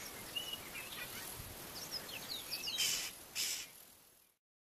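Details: Male black-bellied starling singing his usual song of thin, quick whistles and chirps, then mimicking Brown-hooded Kingfisher and Fork-tailed Drongo towards the end, with two harsher bursts near the end over steady background hiss.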